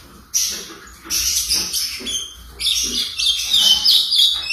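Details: Owner-kept ultramarine grosbeak in brown juvenile dress, four months old, starts after a brief silence into its first notes: buzzy, scratchy bursts that build into a sustained high twitter with faint slurred whistles.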